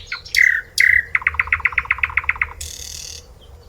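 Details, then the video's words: A sikatan londo flycatcher sings two bright, down-slurred whistles, then a quick run of about a dozen even chips, eight a second, and ends on a harsh buzzy note. "Kicauan Sikatan Londo merdu dan khas"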